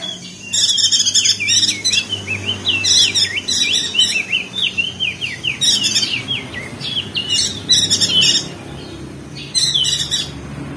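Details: Crested white-eye, locally perenjak daun, Lombok, West Nusa Tenggara, in ngeriwik style as a singing primer for quiet birds. A long run of quick, jumbled chirps and buzzy notes gives way to clipped chattering bursts with short pauses.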